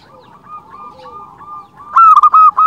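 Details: Zebra dove of a local strain in full song, a lure for its kind: faint rolling coos from background doves, then a sudden loud series of quick clipped coo notes in the last second.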